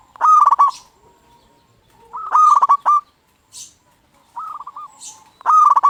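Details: Zebra dove decoy song meant to provoke other doves to answer: four phrases of quick, stuttering coos at a steady pitch, the loud ones strongly distorted, with softer answering phrases between.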